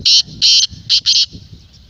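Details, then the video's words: Black francolin call meant to stir a kept francolin into calling, four loud harsh grating bursts in quick succession, the first two longer and the last two shorter and closely paired, over faint low background noise. "Black Teetar Voice"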